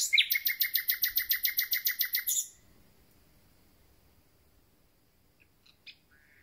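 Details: Common nightingale, newly arrived and starting its concert, sings a fast, even run of about fifteen sharp, buzzy repeated notes lasting over two seconds, then falls quiet with only a few faint distant chips.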